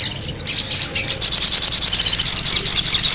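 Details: High, busy twittering from a sogon bird lure, starting with thin chirps and building into quick whistled flicks repeated in a fast, uneven stream.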